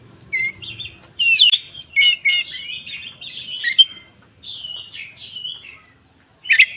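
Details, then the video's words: Tail-opening song of a caged koci, recorded to lure lazy or mute birds into singing: a dense jumble of buzzy chirps and warbled whistles, a quieter run of notes, a pause, then one sharp chirp. "suara burung koci buka ekor||pancingan koci bahan ombyokan"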